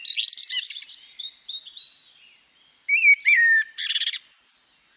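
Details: A female common blackbird gives fast high squeaking, a few soft thin whistles, then a loud fluted phrase of clear sliding notes. It ends in buzzy, twittering high notes.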